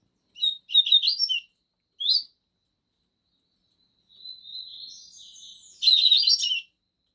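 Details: Caged coleiros, a 'bico de aço' and a 'trem bala' song type, in a singing duel: a rapid chippy burst, a single short note, then a long thin steady whistle leading into another dense twittering phrase.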